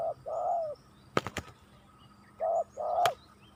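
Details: Spotted dove calling, used as a lure for wild doves to fight: two low hoarse coos, a pause with sharp clicks, then two more coos.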